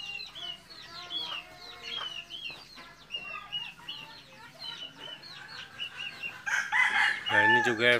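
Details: Red junglefowl raised at a breeding site in Mukomuko, Bengkulu: a series of thin, rising chirps repeated several times a second, then a loud, rough crow rising in the final seconds.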